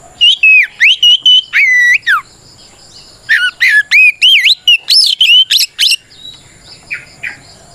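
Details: Oriental magpie-robin in full, clear fighting song, used to provoke other magpie-robins into answering: loud slurred whistles, rising and falling, in quick bursts with a brief pause mid-phrase and softer trailing notes.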